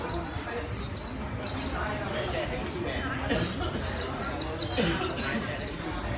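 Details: A wild-caught 'bổi' white-eye sings fast, high, twittering strings of chirps with hardly a pause, played to train quick 'mau líu' singing. Faint lower chatter lies beneath.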